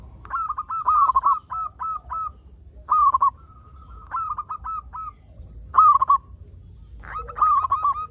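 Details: Local zebra dove singing briskly, used as a lure to draw wild zebra doves into answering: bursts of low, fluttering cooed notes, each phrase a quick trill ending in short hooked coos, repeated about every one to two seconds.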